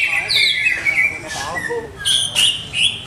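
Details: Greater green leafbird kept for competition and still being set up, singing looping downslurred whistles, then sharp high chips spaced a few tenths of a second apart.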